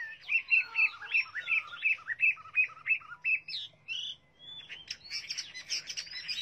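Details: A hwamei repeats a bright, sharp whistled note about eight times in steady rhythm, then breaks into a jumbled, busy stretch of mixed chirps and warbles.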